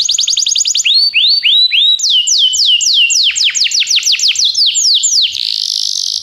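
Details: Belgian canary singing to stimulate fellow canaries: a quick trill, a few rising curved whistles, then a long series of falling sweeps ending in a buzzy roll.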